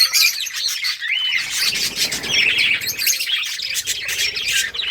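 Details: Budgie colony in summer breeding season, birds playing and chirping; a rising whistle opens, then thick overlapping chatter of raspy, twittering notes continues throughout.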